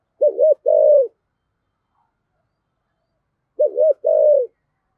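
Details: Low cooing of a spotted dove with the 'giọng thổ' voice, meant to set a newly caught dove cooing: two phrases, each a wavering doubled note followed by a held, slightly falling note, in a quiet setting.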